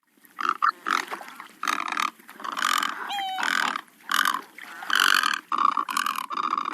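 Great Egret giving a run of harsh, rasping croaks, each about half a second long, repeated with short gaps; a brief thin whistle cuts in midway.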